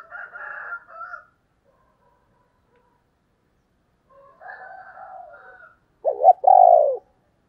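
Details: Female spotted dove in a native field-style voice, played to lure wild males; fainter higher chatter early on, then a loud burst of low, husky, falling coos near the end.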